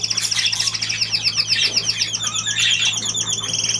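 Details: Budgerigar chattering without pause: a dense stream of quick warbling, twittering notes, around four per second, with no breaks over the whole stretch and a steady low electrical hum underneath.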